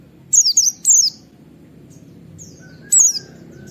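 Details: White-eye in the wild calling to provoke others: three quick high whistled 'wit' notes, a pause, then one more slurred chip over a quiet low background.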